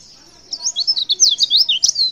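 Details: Female white-eye calling so that males reply: a brief, lively flurry of high, thin, up-and-down squeaky chirps after a moment of silence.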